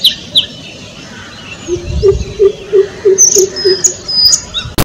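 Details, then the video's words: Greater Coucal, ever present in the thicket, giving a deep, hollow run of about seven even hoots, three per second, while thin high whistles and chirps of other birds sound above it. "Call Of The Greater Coucal"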